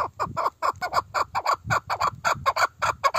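A partridge gives a fast series of harsh, clucking chuck notes, about four or five a second, rising and falling in loudness.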